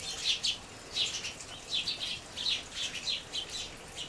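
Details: Sparrows, one of several groups, foraging on the ground near a seed feeder; bursts of bright chirps overlap in quick, irregular clusters, roughly every half second, against a steady hiss.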